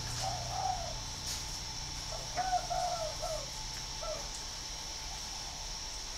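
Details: Spotted dove from a breeding facility in northern Vietnam, noted as a good singer, uttering soft low coos in two short bursts, fairly quiet against a background low hum and a constant faint high hiss.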